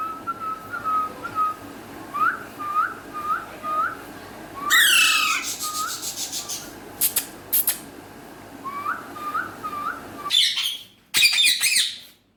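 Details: Natural voice of a talking Alexandrine parakeet, with Urdu/Hindi speech. Short upward-sweeping whistled notes repeat about every half second. They are broken by loud harsh screeches, several sharp clicks and rough bursts near the end.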